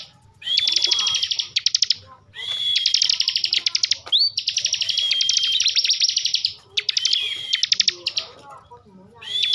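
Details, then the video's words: Bar-winged prinia, known locally as ciblek, from Slawi in Tegal, Central Java, pours out ngebren song: long buzzy trills with pulsing clicks and whistled strands, in phrases of one to two seconds separated by short pauses. "kicauan ciblek ngebren emosi"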